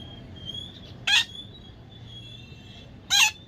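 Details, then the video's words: Baby parrot giving two short, harsh, loud squawks about two seconds apart, with a thin steady high whistle-like tone running quietly underneath. "natural funny parrot sound"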